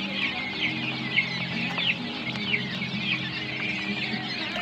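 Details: Fourteen-day-old quail chicks giving a dense, continuous chorus of high, thin cheeping and chirping, many birds calling at once with overlapping short notes, over a steady low hum.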